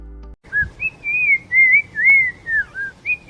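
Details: Black-crowned Tchagra singing a slow run of mellow, drawn-out whistled notes, some sliding downward, about eight in three seconds, over a faint background hiss.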